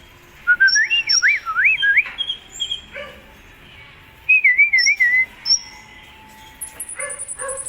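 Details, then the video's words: Kolibri ninja sunbird singing hard for contest: a fast looping, warbled whistle sweeping up and down, then a wavering whistled phrase, with very high thin notes throughout. "Suara Burung Kolibri Ninja Gacor Mau Juara - Hummingbirds Sound 2020"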